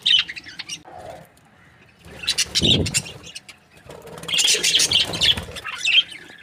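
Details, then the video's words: Happy Australian budgie breeding pair giving a few high chirps, then a louder low rustling burst, followed by a lively run of high twittering and squeaks. "Happy budgie chirping sounds | Australian budgies breeding pair"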